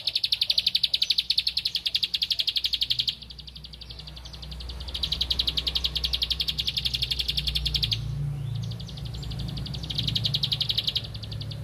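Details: Bar-winged prinia song given while looking for a rival: three bursts of fast repeated high notes, each a few seconds long, separated by pauses, over a low rumbling background noise.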